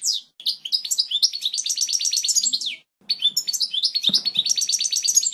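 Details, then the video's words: European goldfinch original song for teaching chicks: fast trilled twittering in two long phrases split by a short pause, with a faint thump in the background. "لغة الحسون الاصلية القوية و الصافية لتعليم الفراخ Chant Chardonneret"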